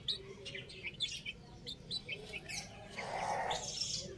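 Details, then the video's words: Several young chicks at play, giving rapid high peeps and short chirps, followed by a wash of broader hissing noise over the last second, with a low steady background. "Amazing Chick Sounds | Adorable Young Chicks Playing"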